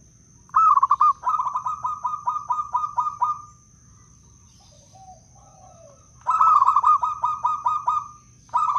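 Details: Local wild Blora Zebra Dove, Indonesia, kept as a lure for trapping and prompting silent doves: long rhythmic cooing phrase of quick stuttered notes then a string of evenly pulsed rolling coos lasting several seconds, pause, then another run begins.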